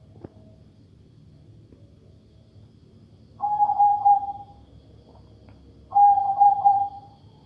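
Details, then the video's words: Zebra dove of the katuranggan majapahit type, said to have a voice unlike ordinary zebra doves, gives two mid-pitched trilling coos about two and a half seconds apart, each starting with a warbled flourish and ending in a steady tone, over faint low background hum. "Burung perkutut bersuara aneh"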